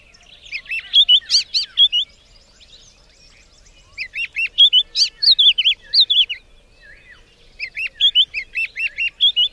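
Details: Clear, loud song of a white-browed scrub robin, repeated in three bursts of quick, bright whistles and slurred chirps, each burst a couple of seconds long, separated by brief silences.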